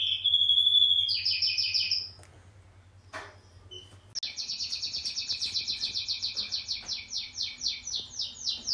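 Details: Canary kept as a pet delivering a bright whistled trill, a short pause with faint clicks, then a long fast pulsing trill repeated many times per second, with a low hum at the start.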